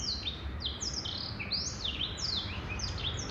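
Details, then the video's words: Short burst of male black-throated canary song, a quick string of bright, high downslurred whistles mixed with a few lower notes, with soft background noise. "Blackthroat Canary Bird Male - Jantan"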